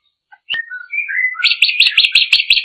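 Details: Drongo in full song: a brief sliding whistled phrase of falling and rising notes runs straight into a fast, buzzy, rattling series of repeated high notes.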